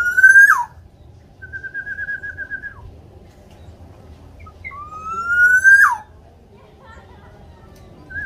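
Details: Black-naped oriole (Javan local) giving loud, fluty whistles: a rising slurred phrase, a level wavering note, then another rising whistle, spaced a few seconds apart over a faint low hum; used to prompt other orioles to sing.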